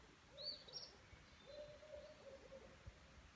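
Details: Owls hooting around 8 pm on the night of 13 May 2017 at a camp, with turkeys also calling: soft, drawn-out notes, two hoot phrases about a second apart, a brief high chirp from a small bird, and quiet background hiss.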